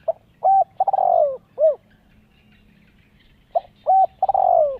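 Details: Spotted dove cooing as a lure for wild doves and for training young birds: one complete mellow phrase ending in a falling purred coo and soft final hoot, followed by the opening of the next phrase over a faint low hum.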